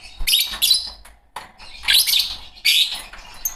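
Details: Pet Fischer's lovebirds, a green pair, chatter in three harsh, squeaky high bursts with brief pauses between, ending with a faint sharp chirp.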